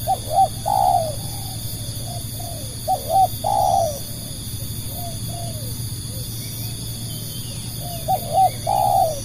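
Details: Spotted dove serving as a lure bird for other doves, giving a long run of low coos: repeated phrases of short hooked notes and burry drawn-out coos, with softer coos between and a steady high hum plus low rumble.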